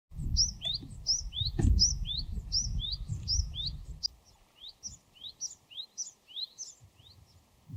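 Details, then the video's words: Japanese tit (Parus minor) sings a high, quick two-note phrase, repeated rapidly in a steady series; a low rumble fills the background for the first half. "シジュウカラの鳴き声08【鳥の鳴き声】 birdsong of Japanese Tit Parus minor"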